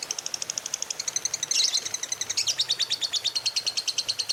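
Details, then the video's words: Lovebird trilling in the morning to stimulate other lovebirds: a long, fast, high-pitched rattling trill of evenly repeated notes, about seven per second, briefly thickening into a chattering burst midway, in a quiet setting. "SUARA PEMACU Ini Bikin Love Bird Ngeroll & Ngekek Ganas!"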